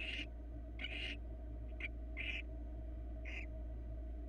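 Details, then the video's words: Nest camera in Florida, a barn owl female with two nestlings hatched in February 2022, fed a small mouse: five short, hoarse hissing screeches, one faint and clipped, over a droning background hum. "Small mouse for the female and her two babies in Barn Owl Florida Cam 1"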